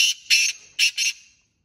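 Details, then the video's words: Black francolin (kala teetar) in jungle giving four harsh, rasping, loud high notes in two quick pairs over about a second and a half. "Kala teetar awaz//teetar ki awaz//Black teetra ki boli"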